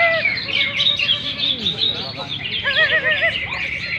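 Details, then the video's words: Competing greater green leafbirds at a gantangan songbird contest pour out high, tangled chirps and whistles, then one bird gives a clear wavering, warbled phrase repeated several times; faint voices and crowd murmur below. "kontes burung/gantangan cucak ijo"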